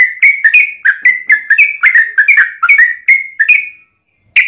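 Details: Yellow-vented bulbul in a long, excited fighting song used as a lure for other bulbuls: rapid liquid whistled notes tumbling up and down, closing with a drawn-out note, short silence, then another note.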